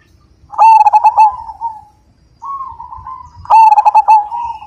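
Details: Majapahit-type zebra dove with a big voice singing: soft, steady cooing leads into a quick stuttering run of bright, ringing notes, given twice, with faint low background rumble.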